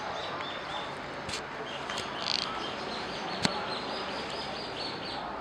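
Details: Fischer's lovebird, a green pair, chirping: a run of short, thin, high chirps repeated steadily over a constant background hiss, with a louder harsh burst near the middle and a sharp click.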